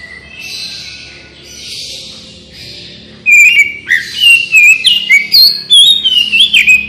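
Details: Oriental magpie-robin song used as a lure so birds respond quickly: after a quiet hissy start, a rapid run of loud whistled, sliding notes and chips, delivered in quick succession.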